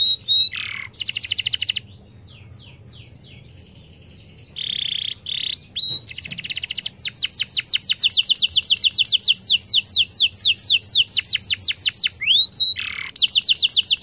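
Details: Long unbroken canary song used to stimulate quiet canaries to sing, with rapid rattling trills, clear whistled slurs and a short lull, then a fast, high, evenly repeated trill lasting several seconds, interrupted by a single swooping whistle.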